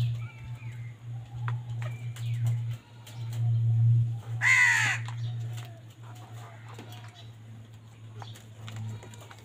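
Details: Single harsh, hoarse caw from a crow squabbling over food, set amid faint clicks and a constant low electrical hum.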